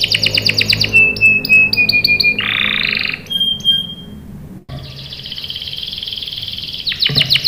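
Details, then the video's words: Lively canary song meant to set young canaries singing: quick repeated notes, a string of short whistles, a buzzy roll, a clear held whistle, then a long steady buzzing roll closing in fast chirps. "PANCINGAN KENARI GACOR CUIT CUIT memancing kenari paud ikut BUNYI | CANARY SINGING"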